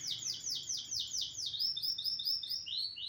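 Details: Canary song used as a master recording for training other birds: rapid series of descending whistled sweeps, then quicker repeated rolling notes at about two per second, clear and unaccompanied.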